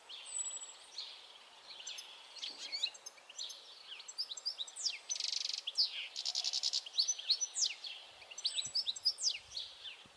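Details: Rambling twittering song of a European goldfinch, mixing buzzy trills, quick chirps and tinkling notes almost continuously, with low background noise.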